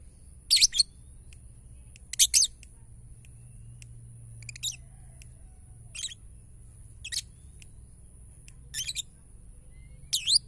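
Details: Ngetik-style lovebird song, used to rouse other lovebirds: repeated brief bursts of shrill, scratchy chattering roughly every one to two seconds, some louder than others, over a constant faint high tone.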